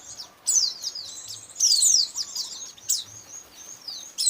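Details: Lure call used to catch white-eyes in Indonesia: loud bursts of high, sweeping downslurred notes and chatter, with quieter thin twitters between them.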